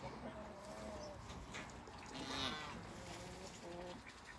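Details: Farm-kept hybrid Canada geese with Toulouse geese during a visit; several drawn-out, nasal, harmonic honks early on, another near the middle and a final group near the end, set against constant low background rumble.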